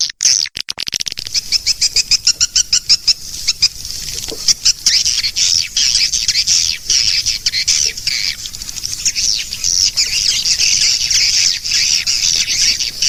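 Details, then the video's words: Swiftlet lure call used to attract swiftlets: dense, rapid clicking chirps in a steady high band, bursts repeated quickly, then a continuous twittering chatter. "Suara panggil sembilan belas detik"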